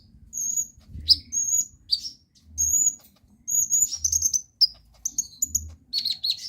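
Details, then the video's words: Actively singing konin, or brown-throated sunbird, recorded as a tutor track to coax silent sunbirds into song: piercing high tweets and flicked notes delivered in uneven clusters, separated by short gaps, over soft intermittent low thumps. "KONIN GACOR BUAT PANCINGAN TROTOLAN"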